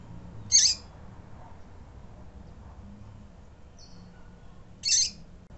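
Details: Female double-collared seedeater calling to excite and stimulate males: two short, harsh, high chipping notes about four seconds apart, with a faint thin whistle between them, over a quiet low background hum.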